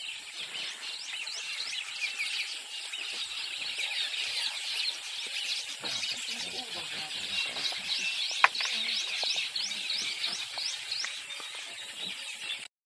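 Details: Many weavers in Kruger National Park, South Africa chatter at once in a continuous wash of buzzy, sizzling chirps and twitters, high-pitched and overlapping without pause, with one sharp click partway through.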